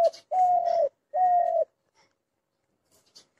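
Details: Two smooth, hollow coos from a spotted dove, each slightly falling at the end. A brief clipped note comes before them, then near silence with faint ticks.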